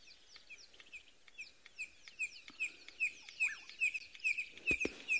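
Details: A red-crested korhaan gives a steady run of sharp, dry clicks, about two per second and quickening slightly, on a clear, warm sunrise morning in the Eastern Cape, 4 November 2022, with many other birds chirping in the background.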